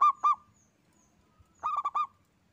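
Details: Single local zebra dove in active song: two separate rounded coo notes, a short gap, then a tight burst of four quick cooing notes.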